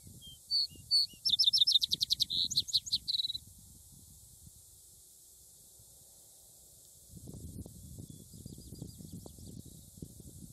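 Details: House wren singing outdoors: a rapid bubbling burst of high chattering notes rises into a fast trill lasting about three seconds. Quiet follows, then low rumbling noise and a faint distant high trill.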